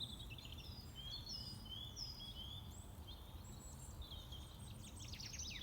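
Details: Several birds in a forest at sunset sing thin whistled phrases and quick high trills over a steady low rumble of wind or distant noise.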